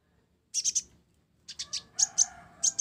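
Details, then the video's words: Short burst from a ninja sunbird in mottled plumage, singing with sparrow-style notes: three quick high chips, a pause, then a string of evenly spaced chirps. "Kolibri Ninja Blorok Gacor isian Gereja"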